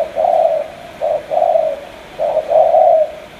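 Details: Mid-pitched coos from a Cà Mau spotted dove, each phrase a quick note followed by a longer mellow coo, repeated twice against a quiet background.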